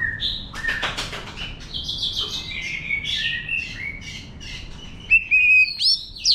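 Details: White-rumped shama wild-style song for stimulating newly caught birds: sharp broadband rustling or wing-flapping bursts at the start, then a flowing run of descending whistles, ending with several loud, clear whistled notes.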